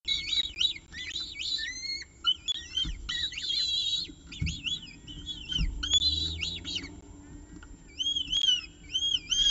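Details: Evening meal at a peregrine falcon nest, Orange, 18 October 2018, 6:51 pm, recorded by nest camera: rapid high, wavering whistled squeals in dense clusters, then spaced arching notes toward the end.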